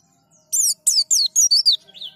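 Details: White-eye being prompted to sing, cage-bird practice: a burst of five or six high, sharp descending chirps in quick succession, each a bright downward slur, ending in a softer trailing note.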